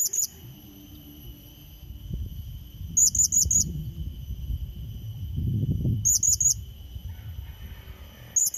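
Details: Blue-crowned hanging parrot calling to lure and challenge a rival: short bursts of three to four very high, sharp squeaky notes, spaced about three seconds apart, with low rustling and rumbling noise underneath.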